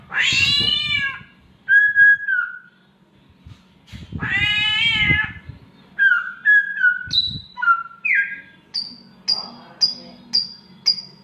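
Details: Oriental magpie-robin copying a mating cat: two drawn-out, harmonic meowing wails, then mid-pitched whistled slurs, and finally a run of short, high, falling whistles repeated about twice a second.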